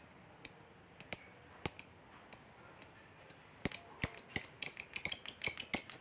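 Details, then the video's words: Fighter lovebird's long 'ngekek' trill, played to make other lovebirds agitated and call. Spaced, sharp high chirps come one or two at a time, then quicken into a rapid, ringing chattering trill. "Lovebird Ngekek Panjang PALING JITU Bikin Lovebird Lain EMOSI, BARU DENGAR SEBENTAR Langsung BUNYI"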